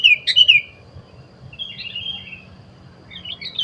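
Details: Wild sooty-headed bulbul, being lured for trapping, singing short bright chirpy phrases of warbled notes in three bursts spaced over about four seconds, with a soft low hum beneath.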